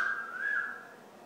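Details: Pet Amazon parrot singing "Old McDonald Had a Farm": a single clear whistled note held for about a second, swelling slightly then fading, indoors.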